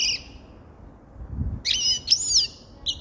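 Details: Grey-crowned goldfinch giving a brief high note, then after a pause a loud, slurred, warbling twitter ending in a clipped chirp.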